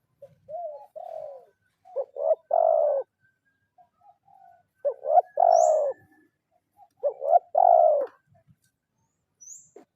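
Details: Calling a rival, a spotted dove trained as a lure sings kuk 0-1 phrases. Three phrases, each of quiet lead-in coos and then a stuttered note plus a long throaty coo, about every two and a half seconds.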